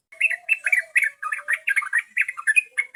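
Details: Continuous cheerful babbling of a yellow-vented bulbul, used as a lure: quick liquid warbles strung together over three seconds, with a faint low whistled tone underneath.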